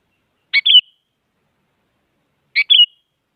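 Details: Sooty-headed bulbul, a female calling a male, used to spur silent bulbuls into song: two short chirpy phrases about two seconds apart, each a quick sharp note followed by a buzzy slurred twitter, against total quiet.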